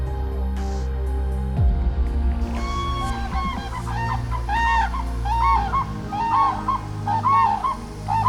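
A crane gives loud, rolling, trumpeting calls, rising and falling, repeated about once a second, over steady background music.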